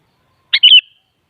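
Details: Sooty-headed bulbul (kutilang), played to make another kutilang respond and sing: one short bright phrase, a sharp chirp followed by a warbled whistled slur, clean with no other sounds.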